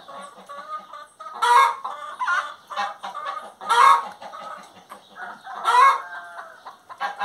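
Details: Hen singing in a loose cycle, a loud harsh squawk about every two seconds, three in all, over steady soft clucking and chatter.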